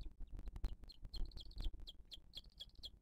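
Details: Booted eagle at the nest in 2023, the mother feeding her chick on a live nest camera: quick high, slightly falling chirps in an uneven series over heavy low thumping and rustling.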